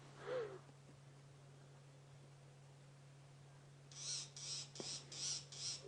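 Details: A noisy Fork-tailed Drongo scolds near a male leopard feeding on an impala kill in a tree at dawn on 30 August 2016 in the African bush: five harsh, rasping notes about twice a second, over a low engine hum.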